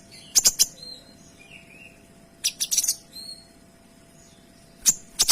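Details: Kinoy alternating clipped high double and triple notes with soft descending whistled slurs; bursts come every couple of seconds against a quiet hum.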